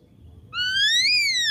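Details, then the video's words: Lure recording of an ashy drongo: one loud, bright whistled note climbing steadily, then easing slightly downward, with strong overtones. "Pancingan Ampuh Srigunting Abu Bakalan Respon"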